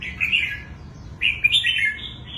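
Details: Wild-caught adult red-whiskered bulbul with a long, fine plumage and a prized twisting voice: two bright warbled phrases, the second rising and rolling through several quick notes, over a faint low hum.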